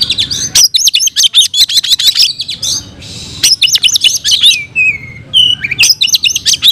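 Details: Oriental magpie-robin (kacer) in full fighting-mode song, singing nonstop and unloading its repertoire: rapid bursts of sharp, high chirps and trills, a short pause, then clean descending whistled slurs before the chattering phrases resume.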